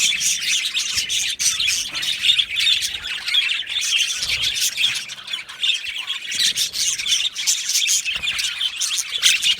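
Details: Budgie colony in an aviary, Australian parakeets chattering nonstop; dense overlapping chirps and squawky twitters rise and fall in loudness throughout.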